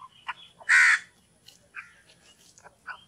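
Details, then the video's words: A crow gives one loud, harsh, drawn-out caw, with a few softer, shorter croaks and chirps scattered before and after it. "कौवे पक्षी की ध्वनि - crow call & voice"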